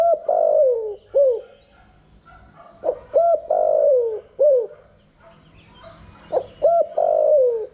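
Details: Spotted dove decoy call for voice training: low coos in irregular phrases, some long and gently falling, others short and hooked, separated by pauses, with a steady high electronic whine behind.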